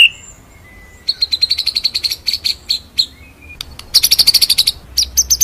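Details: White-rumped shama tutor song in the rolling, shooting style. Rapid trains of bright, repeated high notes are delivered in fast rolls, with brief whistled pauses between bursts. The bird sounds loud and close against a quiet background.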